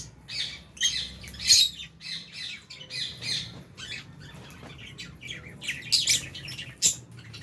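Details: Albino and Fisher's lovebirds in an aviary with budgies, enjoying a meal; dense bursts of shrill chirps and squawks from several birds, louder clusters at the start and end.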